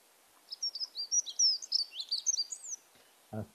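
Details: Dunnock (Prunella modularis) song at dawn chorus season in May, Ireland: a thin, scratchy, hurried warble of high notes wobbling within a narrow pitch band for about two seconds, not forceful, with long pauses, then a brief low knock.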